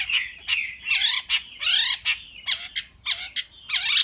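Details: Hwamei, female calling repeatedly to rouse a male: harsh, rasping squawks and buzzy slurred notes in short bursts, roughly two per second, with faint low background noise.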